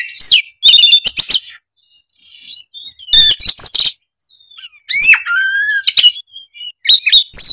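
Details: Energetic gacor song of an oriental magpie-robin displaying isian fill-ins: loud bursts of ringing whistles and dense scratchy notes, separated by soft quiet twitters, with a longer varied whistled phrase near the end.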